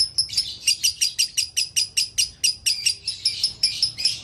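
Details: Cage-kept lovebird chirps steadily, with short piercing notes delivered about three per second and occasional slightly buzzier notes mixed in.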